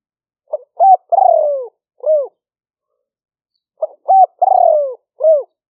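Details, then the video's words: Liu-fueang style cooing of a spotted dove, taped live as a trapping lure in rice fields during the rains, Roi Et province, Thailand. Twice the bird gives quick short coos, a lengthy falling coo and an end hook, in silence otherwise. "หลิ่วเฟืองเสียงกลาง#5 ต่อกระโจม เสียงนกเขาใหญ่"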